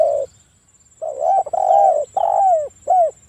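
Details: Spotted dove lure call from a bird in breeding condition, meant to provoke other doves: a short low coo, a pause, then a long buzzy coo, a falling drawn note and a final arched hoot.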